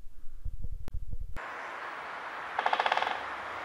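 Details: Great spotted woodpecker (Dendrocopos major) from Germany drumming: a short, fast roll of about a dozen hard strikes lasting half a second, with a man's voice just before.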